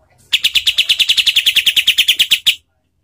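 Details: Kapas tembak call for master training of competition songbirds, rough-voiced and tightly paced: a loud rattle of roughly twenty harsh chattering notes over two seconds, then silence.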